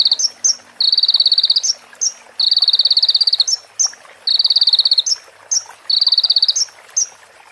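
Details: Sunbird song from a training recording filled with female prinia and ciblek phrases: four dense, buzzy, high trills of about one second each, every one capped by bright upslurred chirps, with brief pauses in between.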